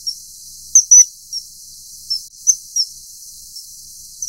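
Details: Common kingfisher in a mating scene: an early loud, strident double whistle followed by scattered softer high piping notes, with a brief click and low continuous hiss.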